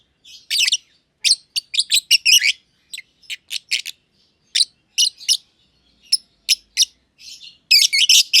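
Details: Green personata and green pied personata lovebirds chirping at length in their aviary: quick clusters of piercing chirps alternating with single spaced calls, ending in a loud rapid burst.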